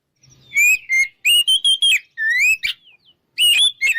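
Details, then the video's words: Ngeplong song of an Oriental magpie-robin meant to provoke rivals. Drawn-out whistled notes rise and level off, with a couple of harsh chirps, then a short pause before a final whistled phrase. "PancinganKacerNgeplong|| Bikin Lawan Ngajak Tarung"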